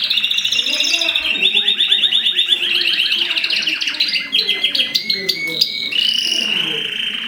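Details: Mosaic canary song during mating, a long stream of fast rolling trills and chirps, with sharp clicking notes and a held whistle near the end, and a faint low murmur beneath.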